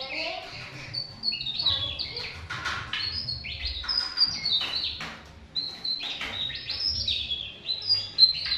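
A tesia gives high, thin, sliding whistles and quick jumbled twitters, several phrases a second. A low rumble of background noise runs underneath.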